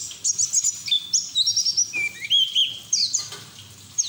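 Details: White-eye delivering ngeriwik song in ngalas style as lure and therapy sound for raw birds; dense, very high twittering with brief trills and a few lower whistled slides.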